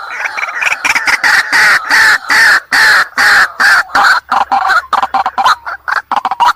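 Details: White-breasted waterhen lure call intended for night-time bird trapping: loud, harsh, nasal calls repeated rapidly and continuously, running into a quicker, choppier stutter toward the end.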